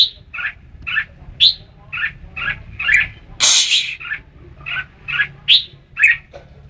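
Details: Red-whiskered bulbul giving regular chirpy notes with occasional bright sharp accents; a brief loud hiss-like burst interrupts midway, low hum throughout.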